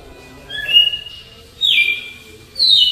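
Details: Red-cowled cardinal singing the 'flauta alagoano' song style, slow delivery; three clear whistled phrases, each a sustained high note sliding downward, spaced about a second apart over a quiet background.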